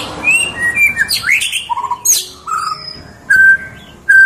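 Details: Tame white-rumped shama singing a varied phrase: clear whistled notes at shifting pitches, quick rising and falling sweeps, and sharp chirps, ending in two long, steady, pure whistles, over a quiet background.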